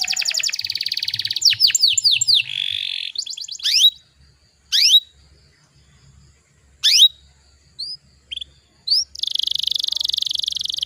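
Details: Lure song of a canary, meant to stimulate rival canaries to sing: opening rolling trills and sweeping slurred notes, then scattered sharp upslurred chips with gaps, ending in a dense high trill.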